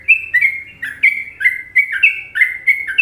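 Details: Masteran recording of an Indonesian sooty-headed bulbul in the popular Trucukan rhythm: a rapid, continuous chain of bright, slurred chirps, about three per second, with soft background rumble.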